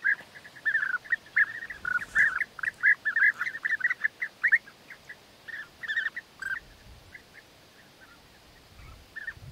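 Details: Several European bee-eaters calling while the male courts the female with gifts of food; dense overlapping rolled, liquid notes in a continuous chatter that slackens toward the end.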